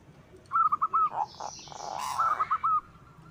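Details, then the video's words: White zebra dove singing, kept to provoke other doves into song and raise their breeding mood: two short bursts of quick, clipped cooing notes on an even pitch, separated by a stretch of rustling, hissing noise. "Suara Perkutut Putih Gacor PANDAI MEMANCING Bunyi, Menaikan Birahi Bikin Gacor Semua Jenis Perkutut."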